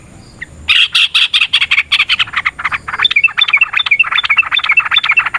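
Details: Yellow-vented bulbul (trucukan) in a long fighting-style song meant to provoke a rival: a dense run of harsh chattering notes, then quick bright whistled chirps mixed with the chatter.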